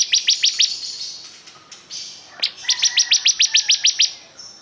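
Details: Bar-winged prinia, described as a very vocal singer, giving rapid series of sharp, high chip notes, about four per second, in two bursts of roughly five and ten notes separated by a brief pause.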